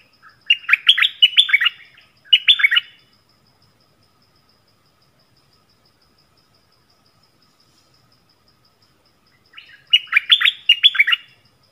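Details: Yellow-vented bulbul used as a decoy bird, recorded 20 March 2021, giving short bursts of bubbly, liquid chortling notes, two phrases close together, then a long pause before another, with no other sounds.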